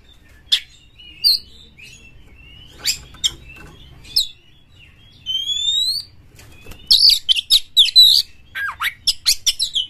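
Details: Oriental magpie-robin, a champion singer used as a lure for other magpie-robins: a few scattered sharp notes, then clean rising whistled slides, ending in a quick run of chattering, whistled phrases.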